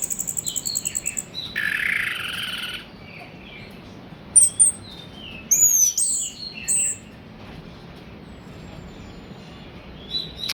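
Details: Orange-headed thrush song used as a lure to provoke other birds into singing: scattered high, sharp whistled notes and chirps, some slurred upward, after a rapid pulsing burst at the start, with a short harsh noise burst early on.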